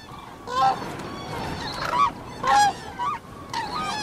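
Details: Cranes (koonj) enjoying themselves in fields call back and forth in a run of about five harsh, ringing honks, some rising and trumpet-like, coming at uneven gaps over faint hiss.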